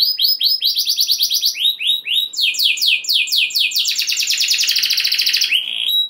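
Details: Canary singing in rolling style to excite other canaries: series of sweeping high notes in quick succession, changing pitch blocks, ending in a dense buzzy trill.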